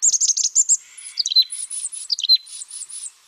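A Mountain Chickadee gives a quick burst of high chips, then lower buzzy notes and a string of thin, arched whistles, a varied run of short pieces.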